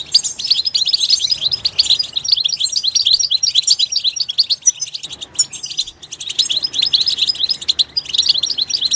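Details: Steady goldfinch twittering in natural habitat, fast, high and chattering, with a short lull before the phrases pick up again.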